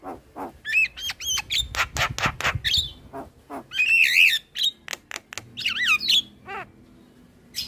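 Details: Master song of the black-winged starling for teaching young birds: a mix of looping whistled phrases, harsh broadband squawks and a buzzy trill, varied and irregular, ending with a quieter wavering note.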